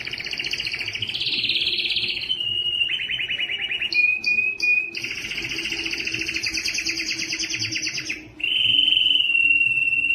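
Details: Canary song played for training, to spur males to sing, females to breed and young to learn notes: loud sustained rolling trills at varied pitches, a high buzzy trill, brief pauses and flat whistled notes near the end.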